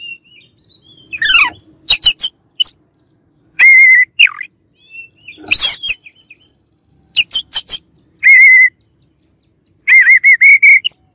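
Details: Oriental magpie-robin singing as a rival bird, alternating loud harsh sweeping bursts with repeated strong harmonic notes given in quick runs of four to six.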